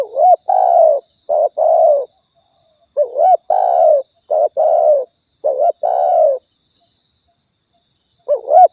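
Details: Riau spotted dove coos meant for luring birds during hunting: uneven groups of mellow, slightly falling notes with short silences between, a rising hooked note near the end, and a steady electronic whine throughout.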